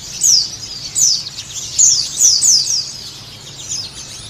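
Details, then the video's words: Javan white-eye (Sunda white-eye), a recording used as therapy and a lure to get pleci birds singing, giving high, thin descending chirps, a quick twittering phrase roughly every half second to second, over faint background hiss. "Terapi pleci supaya cepat bunyi dan buka paruh"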